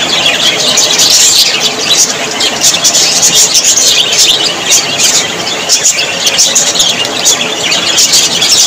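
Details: Cheerful Australian parrots, budgerigars, keep up a continuous high chatter of chirps, whistles and raspy warbles, many voices layered, with intermittent clicking notes.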